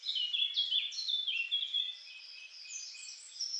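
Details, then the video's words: Eurasian Blackcap singing, captured with a homemade parabolic microphone: a fast, jumbled warble of high chirps and slurred notes that is loudest in the first half, then softer, thinner phrases on a clean, quiet background. "Chant Fauvette à tête noire"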